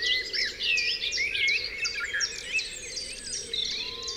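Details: Dawn chorus of several wild birds on Dewlands Common: overlapping bright whistles, trills and quick chirps tumble over one another without pause, with a steady low hum beneath.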